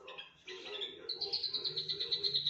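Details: Mimicking Javan bush lark, loud and varied: a few scratchy notes give way to a fast, even, high trill of rapidly pulsing notes held for over a second.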